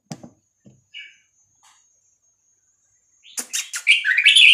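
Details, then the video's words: Vietnamese red-whiskered bulbul song used to teach and excite young birds: a few faint clicks and one soft note, then a bright, tumbling warbled phrase at the end. "นกกรงหัวจุกเวียดนาม 3-4-5-6-7 เปิดสอนลูกนก เปิดยั้วนกฟังนกคึก"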